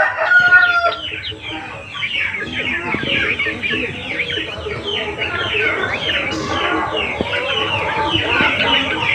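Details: Many chickens still shut inside their coop at about half past nine in the morning, West Bengal, make a dense chorus of overlapping clucks and squawks, with a harsh loud call at the start and steady chatter throughout.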